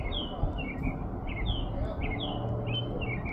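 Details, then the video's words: Evening serenade of an American robin in Minnesota, USA, April 10, 2026; clear whistled phrases, some rising and some falling, repeated in a steady run over a constant low-pitched background hum. "Robin is singing his evening serenade."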